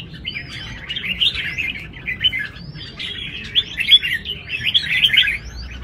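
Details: At a large contest arena, caged red-whiskered bulbuls sing in rivalry, pouring out dense runs of twittering, warbled whistles with occasional clear upswept notes, nearly continuous with one short pause.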